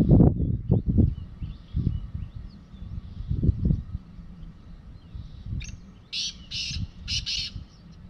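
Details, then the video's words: Wild black francolin calling in the evening from the top of a mud mound, described as young and active; heavy wind rumble fills the first half, then a burst of harsh, grating repeated notes comes near the end. "Kala Teetar ki Awaz | Kala teetar Voice | Francolin Voice"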